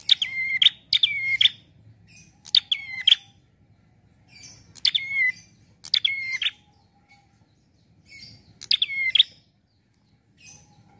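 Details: Prinia singing a relaxed song meant as a lure for trapping: short bright phrases of sharp chirps with a looping whistled figure near the top, repeated roughly every one to two seconds over a faint low hum.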